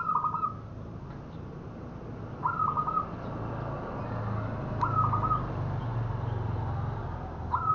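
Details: Local zebra dove cooing, used as a lure for trapping: short warbled, rolling coo phrases repeated about every two and a half seconds over a steady low hum.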